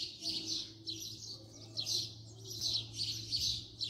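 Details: House sparrow recorded up close, repeating bright, harsh chirps in an uneven run, several per second, over a low steady hum.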